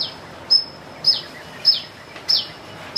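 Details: Sunbird giving a strange chick-like sound: a sharp high note dropping into a brief sweep, repeated about every 0.6 seconds, four times, over steady background hiss.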